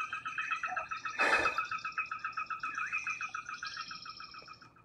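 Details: Sora, a secretive marsh bird that is very vocal day and night, gives its whinny: a rapid run of bright, neighing notes at about four per second, fading as it goes, with a brief burst of noise near the start. An American bittern may be glugging in the background.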